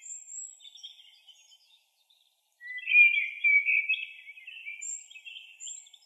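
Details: Indian white-eye, a small yellow bird, gives soft, high twitters, then a louder, rapid jumble of thin chirps and slurred notes, with brief very high, tinny notes near the end. Oriental white-eye (Zosterops palpebrosus), call.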